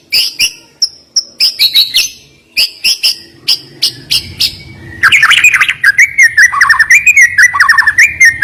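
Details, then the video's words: White-rumped shama singing to rouse a bird that is slow to sing: crisp, high chipping notes spaced in short runs, then a dense rapid flow of varied whistled warbling and trills. "Ngeri Isian Murai Batu Ini Nembak Tajam Naikan Emosi Burung Malas Bunyi"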